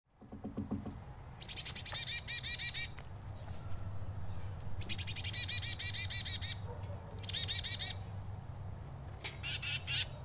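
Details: Chickadee alarm call, used to alert each other to danger: bursts of rapid, buzzy, high 'dee' notes, several runs in ten seconds, over a steady low rumble.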